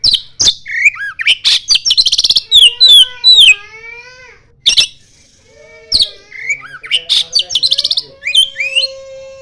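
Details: Oriental magpie-robin in full song, mimicking the common iora. Dense, fast sequences of high whistles, chattering trills and slurred notes, some phrases dropping into lower drawn-out whistles, repeat in rapid bursts with only brief pauses.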